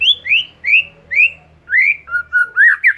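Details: Oriental magpie-robin song to stir a silent bird: four rising whistled notes about half a second apart, then quicker lower whistles and a rising flourish, with faint low hum.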